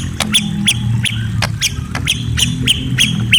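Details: White-rumped shama at night repeating short rising chirps about three times a second, each paired with a sharp click, steady and insistent over a low background hum.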